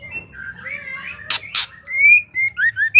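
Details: Female white-rumped shama in ketrekan, used to provoke singing in males: soft warbled notes, two harsh rasping bursts, then a quick series of short clear whistles.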